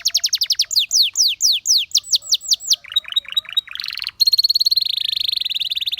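Belgian canary singing fast descending whistled notes, about three per second, then a buzzy rattle and a long rapid trill.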